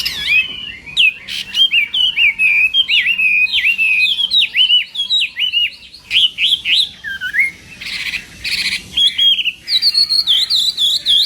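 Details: Chinese hwamei singing at a morning voice-training session: a long series of looping whistled phrases repeated in a quick rhythm, a few bursts of harsh notes, then high ringing whistles at the end.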